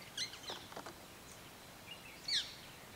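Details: Black-winged (black-shouldered) kite at Melghat, India giving a few thin, high, squeaky notes, one short burst early and another about two seconds later, over a soft background hiss.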